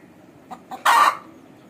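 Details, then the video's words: Aseel hen calling: two faint short notes, then a loud harsh squawk lasting about a third of a second, with a low background hum. "Hen Sound of Aseel"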